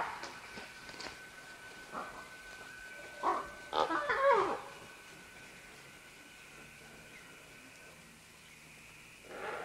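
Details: Several green-winged macaws call as they descend along vines, recorded medium close-up: harsh, raspy squawks and a few scattered calls, then a loud cluster of overlapping screeches, over a faint steady hum.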